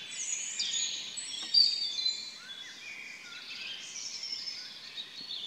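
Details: Birds singing early in the morning at 4 am: high thin whistles, slurred notes and faint twittering from several birds at a distance, over a quiet background.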